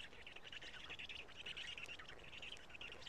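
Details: Black stork chicks at their Karula nest, 3 June 2017, 11:35, being fed by the adult male; the young birds' voices have changed. Dense, scratchy, squealing rasps run without a break.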